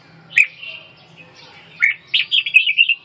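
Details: Red-whiskered bulbul singing a sharp opening note, then a quick rolling run of five or six bright, bubbly whistles near the end.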